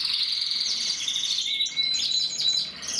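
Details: A very small male Gloster canary sings a fast, high, rolling stream of trills and chirps, with one brief clear whistle near the middle.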